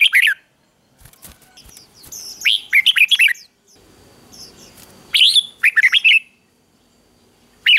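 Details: A red-whiskered bulbul sings the 'ché' style to provoke males into fighting song. Several bursts of rapid, warbling whistled phrases are separated by pauses, with some soft clicks and a hissy background between bursts.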